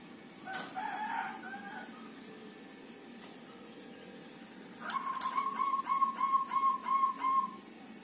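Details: Local zebra dove kept in a group cage, singing after five days there: a faint earlier phrase, then a bright series of about eight rapid, even cooing notes at steady mid pitch, with soft background hiss.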